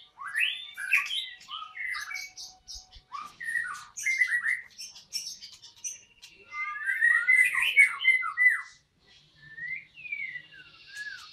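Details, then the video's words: White-rumped shama singing at a breeding site, a busy medley of quick whistled slurs, chattering bursts and high sharp notes, with a brief pause before softer rising whistles at the end. "VIDEO BURUNG MURAI BATU"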